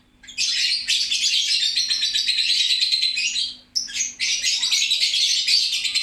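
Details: A lovebird keeps up noisy, excited chattering, with a long, unbroken stretch of shrill, buzzy twitters, a brief break, then another long burst.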